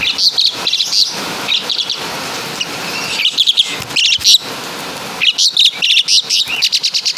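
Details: Javan-origin Asian pied starling delivering mimicked caladi and kapas tembak phrases, bursts of fast high chattering notes separated by short pauses, with a clean, quiet background.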